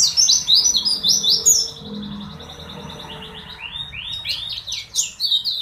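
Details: High, squeaky twittering phrases from pleci (white-eyes), several birds heard together. The song fades in the middle, leaving faint low rumbling noise, then returns with rising, chattering notes.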